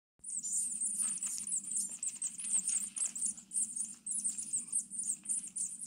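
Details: Six-day-old rescued tit chicks begging while being fed at a wild bird rescue in Brilon, Sauerland, Germany, on 25 May 2024. They were taken in after their mother stopped returning to the nest box. A dense chorus of very high, shrill cheeping runs over a steady low hum.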